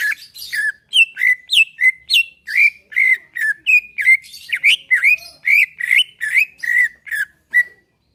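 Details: Greater green leafbird singing a relaxed song used to make other leafbirds sing: a continuous, even stream of about twenty rich whistled notes that swoop and twist, with no pauses.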